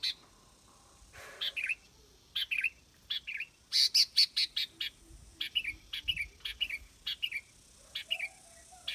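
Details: Sooty-headed bulbul delivering quick cheerful phrases of piping, downslurred whistles, repeated steadily and growing busier midway, notes crisp and high.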